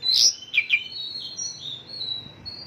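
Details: Mongolian lark 'isian lokalan' song of borrowed local bird phrases: a loud sharp chirp and two quick slurred notes open the phrase, then softer, long, thin level whistles fade out over two seconds.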